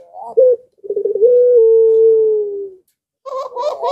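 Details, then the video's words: Barbary dove (puter) in breeding heat, prompting nearby doves to call: a short low coo, then a long drawn-out steady coo that slowly falls, followed by quick rougher cooing notes from another dove. "BIRAHInya memuncak Lagi Sampe Gacor Ngundang Puter Disekitaran Ikut Gacor jadi rame"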